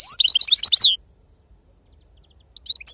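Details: Goldfinch, wild 'khalawi' song style: a quick, lively cluster of high jumbled twitters lasting about a second, then silence, then a few scattered chirps resuming at the end.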